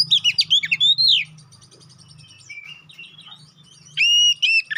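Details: Oriental magpie-robin (kacer poci), a lure song meant to make other birds quickly agitated and sing nonstop for fighting: loud rapid whistled and chattering notes, then a quieter trilling stretch, then bright repeated whistles again.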